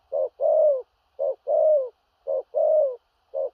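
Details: Spotted dove cooing in the Thổ rặc style with gù cà lăm stuttering: a short low coo, then a longer drawn-out coo that falls at the end. The pair repeats about once a second, clean and without other sounds.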